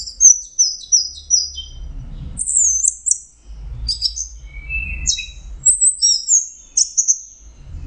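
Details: Teler-style singing by an Orange-headed thrush: clusters of very high, rapid whistled and trilled notes separated by brief pauses, with soft low thuds in the background.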